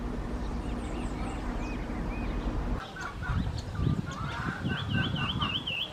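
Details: Lemon-chested greenlet in Atlantic Forest at Lídice: a clear wavy, warbling whistled phrase near the end over steady low rumbling noise, with fainter thin high notes earlier.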